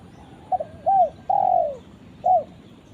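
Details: Spotted dove calling to its companion, giving one full phrase: a brief stuttered pair of notes, a bent coo, a long descending coo, and a final short coo after a pause.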